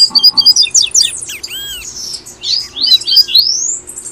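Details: Double-collared seedeater from Brazil singing the tui tui style, used to encourage caged birds: quick repeated high chips, downslurred whistles and an arched note, followed by long rising slurred whistles delivered in a lively stream.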